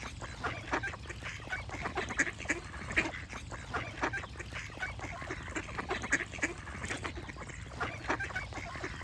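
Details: Dense flock of ducks giving loud, harsh quacks and honking notes in irregular bursts, calls overlapping without pause over a low hum.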